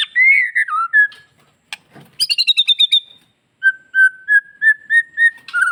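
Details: Bali white-rumped shama giving a rich song used to prompt other shamas to call back; slurred whistles, a burst of rapid ringing notes, then a row of even whistled notes repeated about three times a second.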